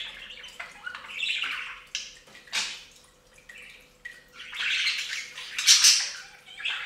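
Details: Several budgerigars bathing at a bird fountain give scratchy warbled chatter in bursts, with harsh squawks near the middle and end and short gaps between phrases; faint splashing and dripping water underneath.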